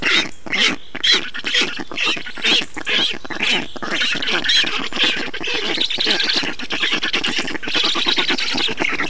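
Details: Estonian black stork nest at feeding time on 5 June 2019, 10:54: dense, continuous wheezy squawking of begging birds, pulsing roughly twice a second and steady in loudness throughout.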